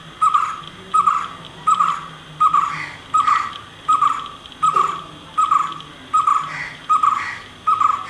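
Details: White-cheeked barbet giving a loud, throaty note over and over, about one every 0.7 seconds, steady and monotonous; a faint high insect-like hum runs underneath.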